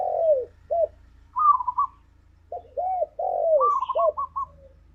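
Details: Spotted dove (tekukur), a lure recording in the 'ngalas' style meant to get a kept dove singing: arched, mellow coo notes with a quick rolling trill between them, twice over, in a quiet setting.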